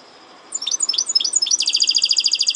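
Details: A caged goldfinch hybrid delivers a short run of bright downward-slurred chirps, then breaks into a fast, steady trill of repeated high notes, strong and clean against a hushed background.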